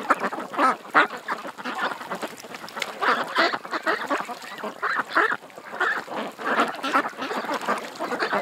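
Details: Ducks at a creek call in clustered runs of nasal, honking quacks, with brief lulls between louder bursts from several birds.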